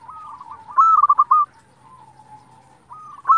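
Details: Zebra dove of a local strain singing as a lure for other doves. Faint cooing leads into one loud phrase of quick, pulsed coos, a quiet drawn-out tail, and the start of another phrase at the end.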